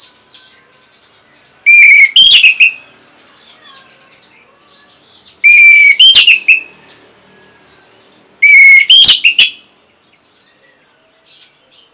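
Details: Orange-headed thrush from Singaraja, Bali, singing to prompt other birds: three separate bursts, each a clear whistle running into a tangle of quick, scratchy trills, spaced about three to four seconds apart, quiet between.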